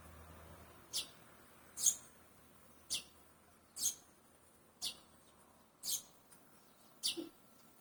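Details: Barn swallow uttering single sharp, very high chirps about once a second, seven in a row, clear above a faint low hum.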